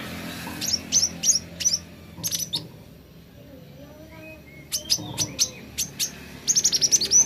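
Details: Kolibri ninja, the plain flowerpecker: scattered high, sharp tsit and tick notes in short clusters, a quiet lower drawn-out whistle in the middle gap, then a fast rattling run of thin high chips at the close.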